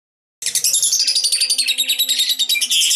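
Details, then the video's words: Lovebird singing in the konslet style of nonstop song: a dense, unbroken stream of rapid high chattering and twittering notes that starts abruptly and runs steadily, pulsing several times a second. "Ciri ciri lovebird konslet"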